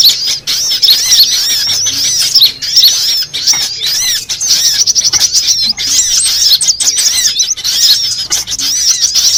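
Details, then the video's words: Sunbirds, several kinds mixed, sounded to lure birds for trapping: crowded high, thin, sweeping chirps and trills running almost without a break. "Suara Pikat semua jenis kolibri"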